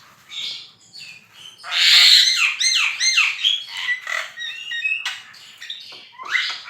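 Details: Javan myna (jalak kebo) in lively gacor song: a loud harsh burst followed by rapid swooping whistles, chattering notes and rising squeals, varied and continuous.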